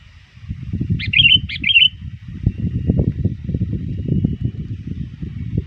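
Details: Sooty-headed bulbul calling rivals near dusk, a bird often trained: two quick bubbly whistled phrases early on, then steady low rumbling background noise.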